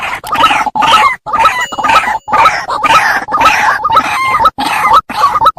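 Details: Wild white-breasted waterhen calls used as a lure to attract birds: loud, harsh, nasal notes repeated about twice per second in a steady, noisy series.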